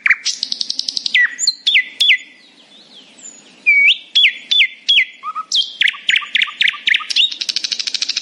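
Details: In the morning a nightingale delivers rapid buzzy trills, sliding whistles and bursts of repeated sharp notes, pausing briefly mid-song before resuming with fast staccato runs.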